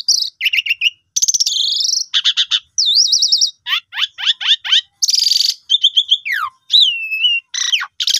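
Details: Lure song of Asian pied starling for birds that have stopped singing: harsh grating bursts, quick stuttered notes and looping whistles, tumbling together with little pause.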